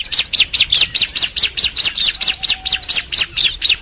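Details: A pair of bar-winged prinias, female and male, trade rapid high chirps, about four or five per second, broken by brief flat whistles. A faint low tone runs underneath.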